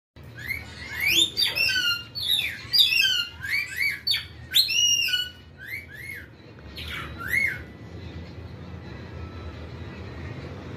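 Rainbow lorikeet giving a rapid burst of shrill, screechy chatter and squawks for about seven seconds, then falling quiet against faint background hum.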